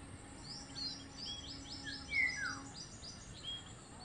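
Zebra finches give quick, high chirps about three times a second, with one louder falling whistle midway, over a low steady hum.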